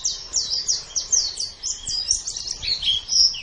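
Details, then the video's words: White-eye song from a long-duration master recording for training contest birds: a rapid, continuous run of high, thin chirps and slurred whistles, with notes following each other in quick succession and no pauses. "Ocehan Suara Burung Pleci"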